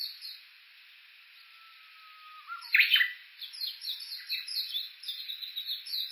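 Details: A Japanese bush warbler sings on Uguisu Road, foot of Mt. Yakushi, Kuga, Suo-Oshima, Japan, recorded walking with an Olympus Voice-Trek V-82: a drawn-out level whistle, an abrupt loud burst, then quick repeated chirping notes.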